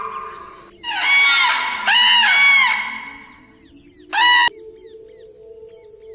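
A crane gives loud, rich trumpeting calls in three bursts, two close together and one shorter one after a pause, over a steady low background hum.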